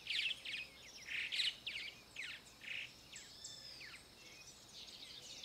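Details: Grey-breasted martin singing near the RPPN das Araucárias Gigantes reserve in Itaiópolis, Santa Catarina, Brazil: bursts of bright, scratchy chirps and twittering notes, bunched in the first three seconds, then softer scattered trills with faint background hiss.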